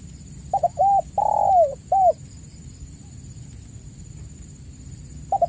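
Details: Lure recording of a spotted dove in full voice, used to stir silent caged doves: one complete phrase of brief stammering coos, a long sliding coo and a clipped final note, then a quiet gap and another phrase starting, with a constant high electronic tone.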